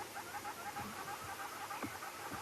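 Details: A hornbill heard on a quiet Sunday sunrise safari drive on May 15 gives a fast run of short, hollow clucking notes, several each second, over a steady hiss of bush background.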